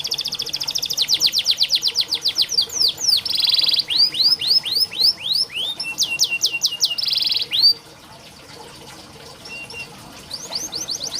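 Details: Canary song used as a master recording to coax reluctant canaries into singing: fast tours of repeated downward-sweeping whistled notes, dense buzzy trills near the middle, then a quieter final stretch with soft sweeps.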